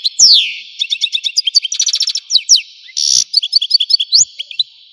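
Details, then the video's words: Rich, rapid song from an Algerian goldfinch: a descending slurred note, then dense trills, buzzy rattles and sparkling high twitters running without break. "تغريد الحسون قمة الابداع ! حسون جزائري"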